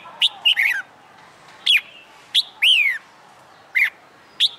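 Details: Red-whiskered bulbul kept in a cage and trained to sing for fighting contests, giving loud clipped chirps and a rich descending whistle, notes spaced irregularly across a few seconds in a quiet room.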